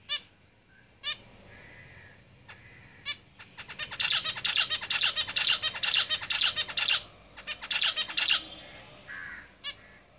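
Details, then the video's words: Caged zebra finches singing: scattered nasal calls and thin high whistles build into a rapid run of buzzy, evenly spaced stacked notes, roughly two per second, pausing and resuming before fading back to sparse calls. "Zebra Finches Singing in the cage"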